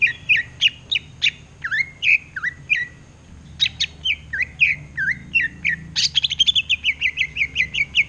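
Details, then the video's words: Greater green leafbird in full rapid chattering song while looking at a mirror, pouring out fast high whistled notes and sharp down-slurred phrases, ending in a quick run of rhythmic repeated chips about three per second; faint low hum behind. "CUCAK IJO NGEROTEK GACOR SAMBIL NGACA?!!!"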